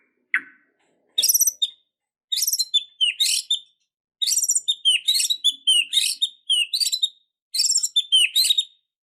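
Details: White-rumped shama, sluggish bird suddenly bursting into emotional fighting song, full of mimicked content; a short rising note, then bursts of rich, high, twittering and whistled phrases repeated about every second with brief pauses.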